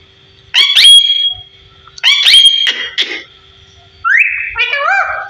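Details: Talking parrot, 15 years old, indoors: two loud harsh bursts trailing into flat held tones, then a rising whistle followed by quick wavering voice-like syllables.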